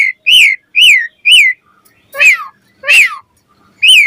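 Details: Asian pied starling singing in the morning, a lure to coax starlings into song: loud arched whistled notes in pairs and triples with short pauses, a couple of harsher, buzzier notes mixed in.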